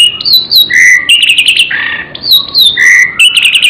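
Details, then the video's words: Gacor isian song of a magpie-robin, a varied stream of high clear whistles, sliding phrases and bright chirps that alternate rapidly between higher and lower pitches with almost no pause. "burung murai gacor isian"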